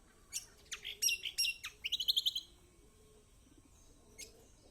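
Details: Kecial kombok singing as a lure for silent birds: a jumble of high, sharp chirps and short slurred phrases runs into a brisk trill of repeated notes, followed by quiet and a lone late chirp.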